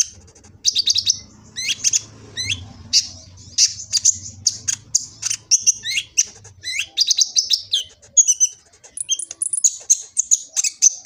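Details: A kolibri ninja sunbird in Gresik, East Java, recorded on a phone, pours out a dense, rapid stream of high twittering chirps and buzzy trills, nearly continuous, over a faint low hum during the first seven seconds.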